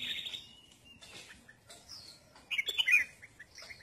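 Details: Sunbathing red-whiskered bulbul: faint chirps at first, then a quick, clear, liquid phrase of several notes, followed by scattered soft chirps.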